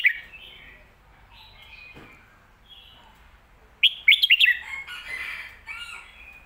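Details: Red-whiskered bulbul song in lak wai / mae bot style: gentle slurred warbles, then a loud, fast sequence of ringing whistles followed by a rich, chattering, buzzy tail.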